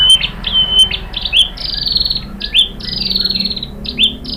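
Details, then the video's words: White-rumped shama singing to provoke caged birds into song: varied phrases of high whistles, quick upslurs and longer buzzy descending notes, irregularly spaced, over a soft low hum. "KICAUAN MURAI BATU merangsang BUNYI jadi NYAUT GACOR NGEPLONG BONGKAR ISIAN | PANCINGAN MURAI"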